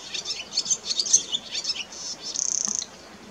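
A Barn swallow gives a quick, high twittering warble of varied chirps, ending in a short, dry buzzy rattle. Faint background hiss underneath.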